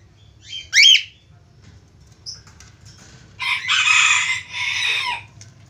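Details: Budgerigar whistling to call a female: a sharp squeaky upslurred note, a quiet pause with faint chirps, then a long harsh buzzy chattering burst lasting about two seconds.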